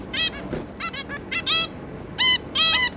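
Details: Zebra finch pair and three juveniles, 11 May 2022: loud, clean nasal beeps in pairs and short groups, separated by brief gaps, each call rich in harmonics with a slightly drawn-out tone.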